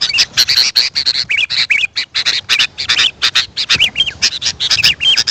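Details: Sooty-headed bulbul calling to attract wild birds. Dense chatter runs alongside clear, rising-and-falling whistled notes that repeat quickly across the whole stretch.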